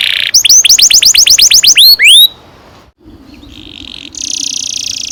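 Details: Canary song used to prompt juvenile canaries: a burst of quick descending whistles, then a near-silent gap, then a soft buzzy trill that grows louder.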